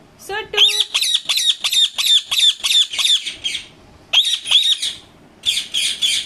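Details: Pet Indian ringneck parakeet, a kept talking parrot, giving loud harsh screeching squawks in rapid repeated runs of about ten calls, a short pause, then another burst, with a brief tonal call at the start.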